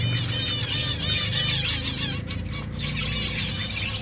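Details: Dense chorus of colony finches at their nests, rapid high wavering chirps from many birds nearly without pause, briefly thinning mid-way, over a loud low hum.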